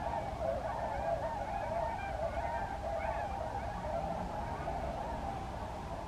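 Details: Continuous crowded chorus of swan calls, many birds honking together in overlapping nasal notes at an even loudness throughout.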